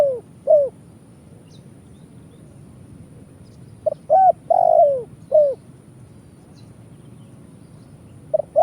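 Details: Spotted dove (tekukur) in 'kuk 1' lure cooing for trapping: brief hooked notes, then a phrase of two short notes, a long falling coo and a final note, repeated after a pause.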